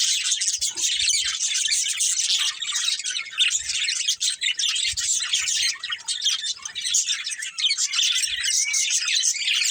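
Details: Busy, bright twittering from a budgerigar breeding pair: fast squeaky chirps and chattering warbles layered continuously, with a few faint low taps in the background.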